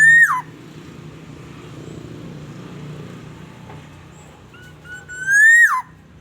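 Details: Black-naped oriole lure recording from Aceh: a rising whistle that ends in a swoop, then low engine-like hum, and the same loud fluty rising-then-falling phrase again near the end.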